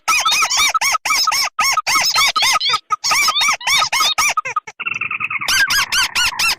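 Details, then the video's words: [['Red and white crakes in a combined lure recording used to attract birds: loud, rapid, squeaky arched notes repeated several times a second in long runs, then a steady nasal tone and further fast squeaks.']] "Suara pikat burung tikusan merah vs putih"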